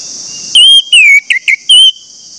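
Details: Song of an orange-headed thrush used to draw other thrushes into singing: five loud whistles, long slurred ones alternating with short sharp notes, against a constant high buzzing drone.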